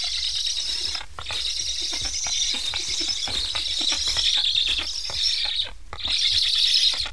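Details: Hungry Black stork chicks with transmitters in an Estonian nest, begging after parents fly off without feeding; sustained harsh wheezing chorus with brief dips near one and six seconds, then swelling louder again.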